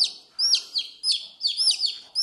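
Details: Several newly hatched chicken chicks, kept with a broody hen, peep in quick, high, downward-sliding notes, about three or four per second, overlapping one another.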